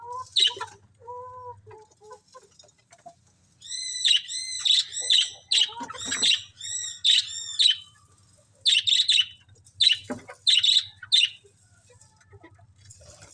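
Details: Budgerigars chirp in rapid, scratchy bursts of warbled and squeaky notes while eating.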